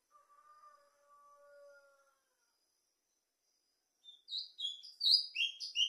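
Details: Plumbeous seedeater song: after two seconds of faint low steady whistles and a silent gap, a quick run of sharp, high, slurred chirping notes bursts in loudly near the end.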